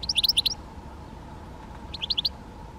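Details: Great spotted woodpecker calling: two quick clusters of sharp, high, clipped notes, one near the start and a shorter one about two seconds later, over a steady low hum.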